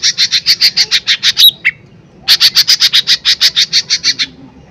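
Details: Energetic lesser green leafbird singing to stir other birds into response: a rapid series of high chip notes ending in a whistled upslur and a lower note, a pause, then another long, even chip series.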